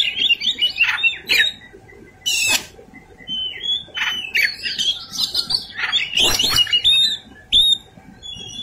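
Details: White-rumped shama in fighting song, fast jumbled whistles and rasping squawks in bursts, loud buzzy calls and mimicked chatter filling most of the stretch.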